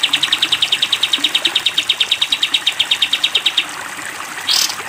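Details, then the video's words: Sooty-headed bulbul's long 'tembak panjang' training song for caged birds: nearly four seconds of rapid, evenly paced, bright staccato chips, then a pause and a short rushing swish. "masteran kapas tembak panjang"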